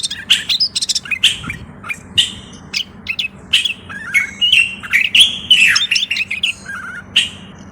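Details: Moroccan common bulbul singing: rapid run of bright, liquid whistled notes with quick up-and-down sweeps and short chirps, phrases packed closely over several seconds, faint low hum underneath.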